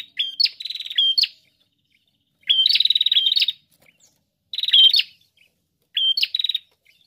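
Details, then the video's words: A prinia sings insistently, with high clipped whistles run into rapid buzzy trills of evenly spaced pulses, in four bursts over seven seconds. "Prenjak Gacor"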